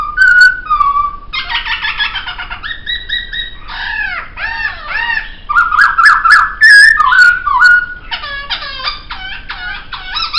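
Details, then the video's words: Laughingthrush, kept caged for song training, mixes whistled slurs, buzzy harmonic trills, and curved nasal notes with loud rolling whistles, in a long, energetic, varied sequence. "Masteran Suara Poksay"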